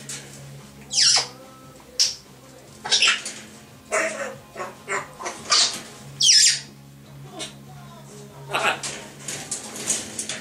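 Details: Two grey parrots chatter and whistle: harsh squawks, sharp rising whistles and bursts of speech-like chatter every second or so, over a steady low indoor hum.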